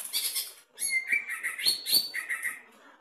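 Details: Caged greater green leafbird, tested at the cage bottom, delivering a brief loud song of hissing, harsh high notes mixed with sliding whistles, with a short pause near the start.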